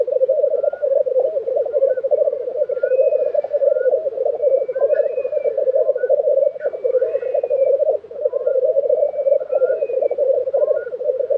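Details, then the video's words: Continuous low, rolling bubbling from a black grouse lek in Tiveden, Sweden, in April 2023, with scattered hisses and thin whistled notes layered above and a brief dip near the end. "Black Grouse Lek - sound recording"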